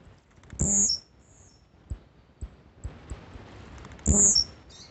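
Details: Blue-black grassquit singing a lot: two short, high, buzzy notes about three and a half seconds apart, each with a brief low thump beneath it, plus scattered faint clicks and taps in between.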